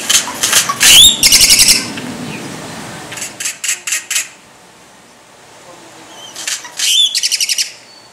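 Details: Bird giving clusters of very high, sharp chirps and rapid ticking trills in short bursts, separated by quiet gaps, with a brief low rumble early on.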